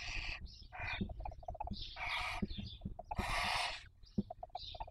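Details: Barn owl at a nest webcam in Cabañeros National Park, Castilla-La Mancha, Spain, during the 2023 breeding season while raising young; harsh broadband hisses of varying length mixed with soft clicks and low knocking sounds.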